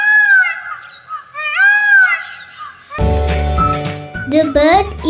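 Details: Indian peafowl (Pavo cristatus), call: often signals a nearby predator such as a tiger.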